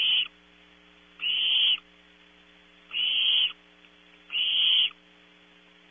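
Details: Camera-recorded owlets of the barn owl at Audubon Starr Ranch, California, squabbling over a 3 a.m. prey delivery. Rasping, breathy screeches come about every 1.5 seconds, four in all, over a faint constant hum.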